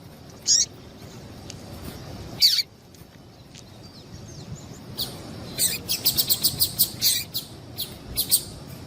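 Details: Female double-collared seedeater calling, a recording meant to stimulate a kept male to sing: a few isolated sharp high chirps, then a quick run of about ten thin chirps and a few more at the end, over faint low background hum.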